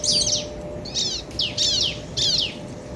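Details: Bar-winged prinia duet, male and female calling back and forth to rouse other birds: four separate bursts of high, scratchy downslurred notes, each about a third of a second, spaced evenly over faint background hum.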